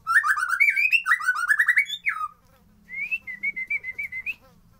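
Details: White-rumped shama singing, original sound without effects, meant to make idle birds sing: a fast cascade of slurred whistles, a pause, then evenly repeated short whistled notes.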